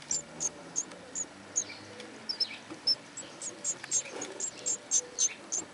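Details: Great tit hatchlings in the Netherlands, eyes newly open and less active in cold weather, give thin, very high, rapid screaming cheeps, about three or four a second and unevenly spaced, over faint hiss.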